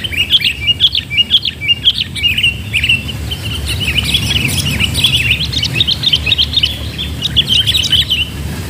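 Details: Sooty-headed bulbul (kutilang) during bird trapping with a decoy bird; a busy stream of bright, bubbly chirps and short whistled notes, several birds overlapping continuously, with low rumbling background noise.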